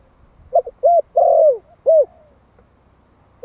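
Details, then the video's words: Calling Malai spotted dove, a one-year-old decoy bird in Vietnam meant to excite wild doves, gives a single mellow phrase: faint stutter, a rounded coo, a long sliding coo and a closing hoot, then near silence. "Tiếng chim cu gáy Malai kích bổi - Thanh niên Malai 1 năm tuổi gáy gọi"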